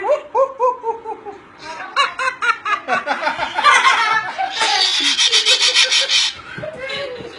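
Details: A very hand-tame Moluccan cockatoo gives a quick run of hoarse, laugh-like hoots, then a burst of rapid, harsh, rasping screeches, possibly mixed with human laughter.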